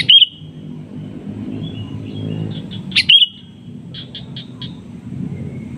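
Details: Sooty-headed bulbul giving rival-luring calls with replies: a loud chirpy burst at the start, scattered soft notes, a second sharp burst, then a quick row of four short, clipped notes, with low rumble behind.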